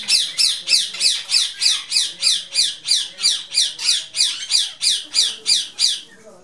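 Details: Ring-necked parakeets in a colony aviary in Lahore, Pakistan, coming to a feed of soaked lentils; harsh, shrill screeches repeated steadily about three times a second for six seconds, with a faint background murmur.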